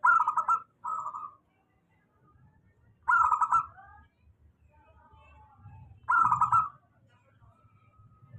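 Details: Local zebra dove song, a steady lure recording for doves reluctant to sing: short rapid pulsed coos, a trilled phrase then a brief one, repeated about every three seconds over a faint low hum.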